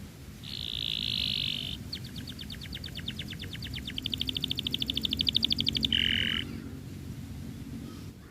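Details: Canary giving 'gacor' song with rich fill ('isian mewah') and sharp bursts ('tembakan tajam'), used to prompt other canaries to sing: a harsh buzzy note, then a long rapid trill of repeated notes growing louder, ending in another buzz.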